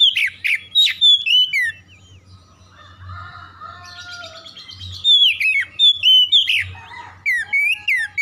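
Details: Oriental magpie-robin singing, used to provoke other birds into aggressive song: rapid loud whistles and high curving chips, a quieter stretch of softer warbled notes midway, then dense whistled phrases resume, over a steady low hum.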